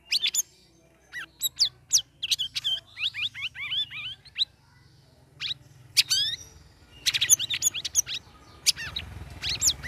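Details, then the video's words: Sooty-headed bulbul in ngeriwik chatter, a kept bird in its third week with a group of other caged birds, pouring out rapid high chirps and looping upslurred whistles in dense runs, a short pause midway. "CUCAK RAWIS NGERIWIK NGEPLONG"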